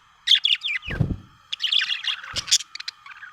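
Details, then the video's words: Happy pet budgie chirping in a fast chattering warble of squeaky, buzzy notes, a low thump near the middle, then more quick chirps and clicks. "happy budgie chirping sound"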